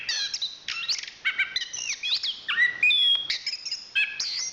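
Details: Varied, loud song of a national champion chestnut-capped thrush (Zoothera interpres): overlapping whistled slurs, buzzy rising notes and chirpy bursts, with one long, clear, high whistle held near the middle.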